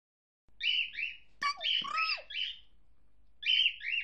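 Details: Pet cockatiel kept indoors, said to be fearful of its owner yet repeating every sound it finds cute; bright chirped and whistled notes in short bursts, a rapid run of descending slurred whistles in the middle, then two more chirps near the end.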